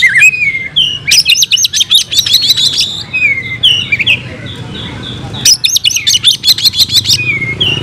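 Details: Oriental magpie-robin (kacer) singing in fighting mode with mimicked fill-in phrases: a rising whistle, then a fast burst of sharp high chatter, soft slurred whistles, and a second rapid chattering burst.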